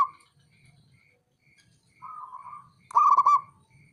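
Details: Male zebra dove, a local perkutut, giving its call to goad rival birds: a softer rolling coo followed by one loud, bubbling, stuttered phrase. Faint high pips repeat throughout over a low hum.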